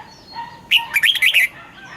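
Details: Caged red-whiskered bulbul singing a morning song used to train other caged birds, a double-note wild-style song: one short burst of bright, warbled, rising and falling whistled notes lasting under a second amid quiet background.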